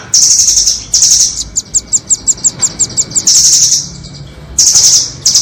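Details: Trapping lure of doraemon and red-billed nuthatch calls: a high rapid trill twice, then a steady series of about twelve evenly spaced sharp notes, then further fast trills.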